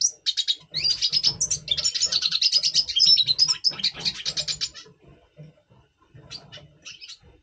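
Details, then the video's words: Red siskin, double pastel mutation, voicing its pre-breeding song in November 2023: a fast, jumbled stream of high buzzy twitters for several seconds, trailing off into a few scattered chips. "Red Siskin 🦩Double Pastell 🔥FeuerZeisig before Breeding - Voice Brutstimmung"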